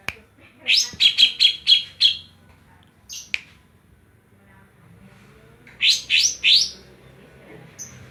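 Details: Greater green leafbird from Banyuwangi, Indonesia, sings a quick run of five bright chirping notes, pauses, then gives three more, in the 'kapas tembak' song-fill style.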